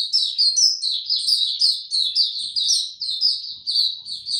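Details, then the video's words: Song of a white-eye during warm, very humid weather, 26 March 2022; loud, high-pitched chattering warble, rapid slurred notes rising and falling in an unbroken stream. "Mata Puteh Hercules buka sing warm n very humid weather"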